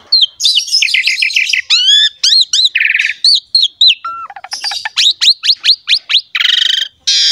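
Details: Javan pied myna in lively, varied song meant to prompt other mynas to sing, mixing rising whistled slurs, scratchy trills, a low flat whistle and rapid clicking runs with buzzy harsh bursts.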